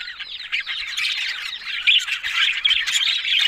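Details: Budgerigars, the Australian parrot, in a dense run of warbling chatter: rapid squeaky, scratchy notes overlapping without pause, several birds calling together at steady loudness with a sharper chirp near the two-second mark.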